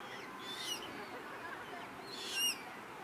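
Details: Juvenile common moorhens at Rosental Pond, Leipzig, in August 2024 give two brief, thin, high squeaky calls about two seconds apart over a steady background hiss.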